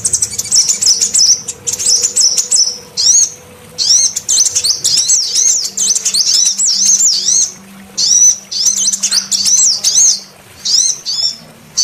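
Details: A female sunbird gives very high, thin, rapid twittering phrases in quick bursts about once a second, over a faint low hum; the recording is used as a lure to draw sunbirds and prompt quiet males to call.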